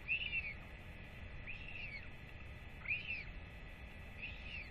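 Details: Feeding time for a royal albatross chick with both parents home: four curved whistles, the first and third louder, spaced about 1.3 seconds apart, with a low constant rumble underneath.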